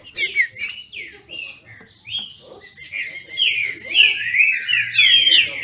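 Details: Green-winged saltator (trinca-ferro), captive-bred in Brazil, dueling in song: clipped whistled notes and sharp chips at first, then building into a dense, loud sequence of rapid downslurred whistles, with a faint low hum beneath.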